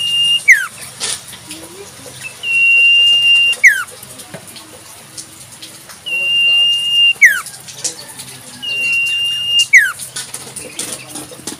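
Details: Wild Common Iora repeating long flat whistles that each fall away in a quick down-slur, four phrases in about eleven seconds, with light background noise.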